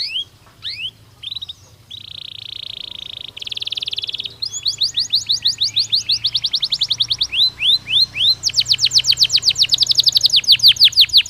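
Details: Canary song used to ready birds for the breeding season: a varied sequence of short whistles, a buzzy flat trill, a faster rattling trill, then long runs of repeated sweeping notes that grow louder, with a low hum beneath.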